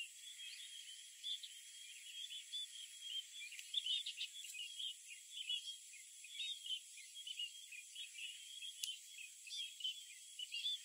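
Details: Light-vented bulbul on Okinawa Island, Japan, giving a run of quick, chattering, slurred notes in irregular bursts, over a steady high insect drone.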